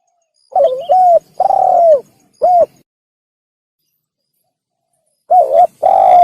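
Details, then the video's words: Hunting-lure recording of a spotted dove: a quick wavering note leading into a smooth coo, a long drawn-out falling coo and a short one, then silence before the phrase starts again. "Pikat Burung Tekukur / Suara Burung Tekukur | The Sound of The Turtledove"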